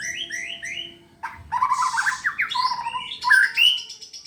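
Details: Contest-prepared white-rumped shama singing energetically: a few rising whistles, a short gap, then a rapid tumbling phrase of mixed whistles and a high rasping buzz, closing with loud sweeping notes.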